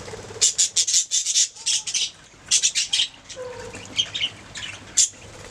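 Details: Budgies singing: fast, buzzy, high-pitched chattering notes in rapid runs, a short break, then more scratchy warbling and scattered squeaks, with a faint low hum underneath.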